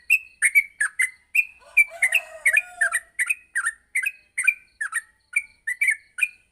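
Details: Morning song of a yellow-vented bulbul used as a training recording for other bulbuls: fast sequence of sharp chirped and downslurred notes, with a brief lower buzzy rasp mixed in near the middle.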